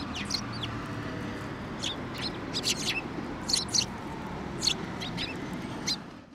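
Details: Sparrows on a bench at a shrine, waiting to be fed on 17 December 2023: irregular bright chirps, some doubled, scattered through the clip over a low rumbling background.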